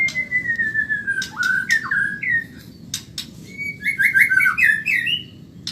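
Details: Caged white-rumped shama of the Medan type singing a fast training song, with long whistled notes sliding gently downward, then a rapid run of short rising and falling whistles. Sharp clicks and ticks are scattered between phrases.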